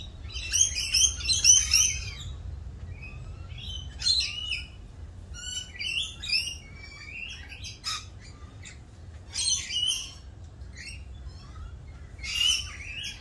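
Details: Rainbow lorikeets in mating season, busy with their mating dance, produce scattered high chattering squawks and thin screeches over about thirteen seconds, louder at first and then more spaced out.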